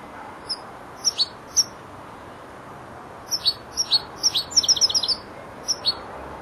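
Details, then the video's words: Four-month-old European goldfinch practising phrase endings: isolated sharp high chirps spaced apart, building into a quick twittering run of bright notes, then two final chirps. "jilguero el estudiante rematando"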